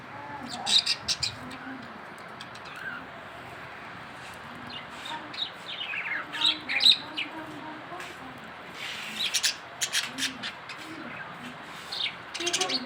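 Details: Captive budgerigars chirping in bright, scratchy bursts with rapid warbled notes.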